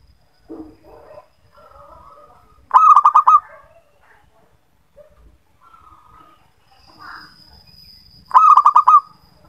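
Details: Local zebra dove used as a lure for hard-to-start singers. Two clipped, rapid cooing phrases come several seconds apart. Softer scattered chirps and a thin high whine fill the gaps.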